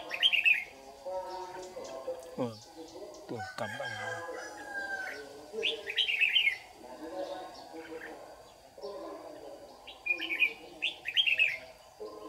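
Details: Red-whiskered bulbul, a white-cheeked lure bird used in trapping, in a morning singing duel in Đồng Nai, Vietnam, June 2019: rich whistled phrases every few seconds, with sharp clicking noises early on and a steady background hum.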